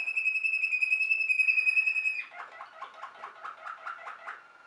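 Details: Waterslager canary, a Belgian song canary known as the Malinois, bred for a voice like flowing water: a long clear whistled note followed by soft bubbling pulses repeated several times a second.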